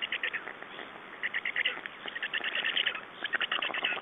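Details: Black storks at their Estonian nest, 9 June 2011, around a nest exchange and feeding; a steady stream of rapid, scratchy chirps and squeaks in short bursts, growing busier in the second half.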